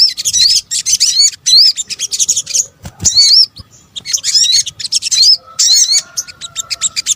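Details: Sunbird calls used as a lure: bursts of high twittering alternate with short pauses. Looping whistled notes rise and fall within each burst, and a low knock sounds midway.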